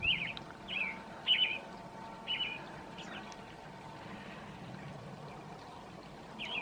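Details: In the evening, an American robin, called female by the recordist, sings short, clear whistled phrases, five in quick succession, then a long pause before another, over a faint hum and low rumble.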